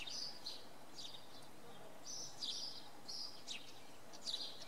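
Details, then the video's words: Common redpoll heard in evening fog at Oksywie, giving clusters of high, buzzy chattering notes with short gaps between them, set against a low rumbling background. "Czeczotka we mgle"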